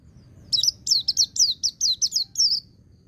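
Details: Pleci (white-eye) song in the ngecir-ngalas style for training: about eight quick, very high slurred notes, each sweeping downward, delivered evenly over two seconds in a steady chattering run.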